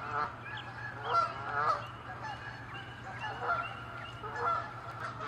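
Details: Territorial Canada geese honking loudly while chasing and attacking one another: drawn-out, slightly wavering nasal honks in uneven groups, with softer calls between them.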